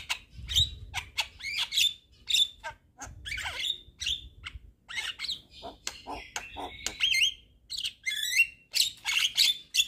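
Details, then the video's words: Javan myna in full active song with head-bobbing, rich in filler phrases: a varied medley of sharp clicks, whistled upslurs and scratchy chatter delivered in quick succession with barely a pause. "Kicauan Jalak Kebo Gacor MAnggut - Manggut Full Isian"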